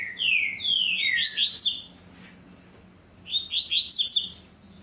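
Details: A young captive male double-collared seedeater, apparently 1 November 2022, answering another bird and pulling straw as if wanting to nest, sings two bright phrases: a falling whistled note, then quick climbing runs of sweet, slurred notes, over faint hum.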